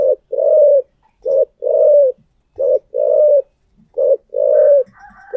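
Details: Spotted dove decoy in thổ voice gives steady paired coos, a short hoot then a longer purring note, repeated about every 1.3 seconds with short silences between. A faint higher sound enters at the end.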